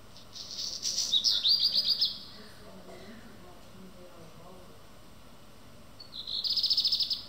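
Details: Black redstart (Phoenicurus ochruros) singing early in the morning at Schwerin railway station: a high, rapid phrase of ringing notes, then a dry, crackling rattle after a pause, over a faint background hum.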